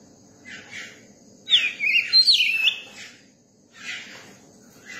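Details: Caged, newly caught Oriental magpie-robin being accustomed to people sings a brief burst of looping whistled notes, set between softer raspy, scratchy chatter before and after.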